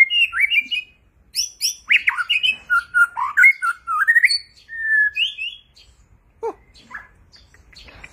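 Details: White-rumped shama in display, pouring out a rapid string of rich, varied whistles and twittering notes, then pausing before a few scattered sharper calls.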